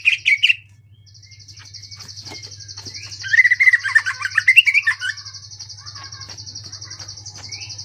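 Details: A brief whistle burst, then a lull, then a tight cluster of chattering, tumbling notes from a Greater green leafbird in ngentrok-style song, with a steady shrill drone and faint low hum beneath.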